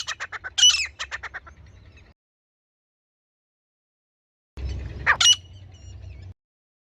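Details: Female grey francolin calling as a hunting lure: two bursts of harsh, squawky notes separated by about two seconds of silence, with a low hum beneath each burst.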